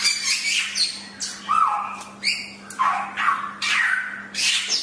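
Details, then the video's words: Chinese hwamei in a bird-training recording, giving harsh, rasping, squawky bursts about every half second mixed with a few short lower whistles, over a low steady hum. "Masteran Suara Samyong"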